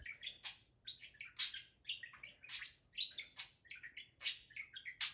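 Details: Caged pet budgie, male, talking excitedly to his toys: quick warbled chatter of clicks and bright chirps, loud notes repeating about once a second in a steady lively stream.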